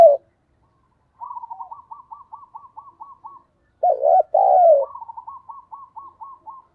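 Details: Decoy spotted dove calling in the thúc bổi style: a rapid run of short clipped notes, then one two-part coo, then another quick string of clipped notes.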